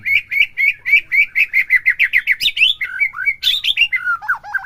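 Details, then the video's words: White-rumped shama in captivity singing to provoke another bird into bongkar song: a quick, regular string of upswept whistles, about three and a half per second, breaking into higher squeaky notes and then falling, lower warbled phrases. "PERANGSANG EMOSI MURAI BATU AGAR CEPET IKUT BONGKAR"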